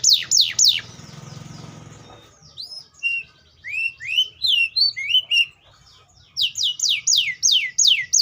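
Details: Atlantic canary in song: a few falling whistled sweeps, a soft pause, then rising and falling chirped notes, ending in a fast repeated series of bright descending whistles.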